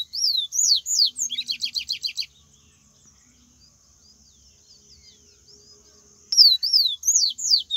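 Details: Bahian song of a wild Yellow-bellied Seedeater. Ringing downslurred whistles are followed by a fast series of about eight short, identical chips. After a quiet gap, the whistled slurs return.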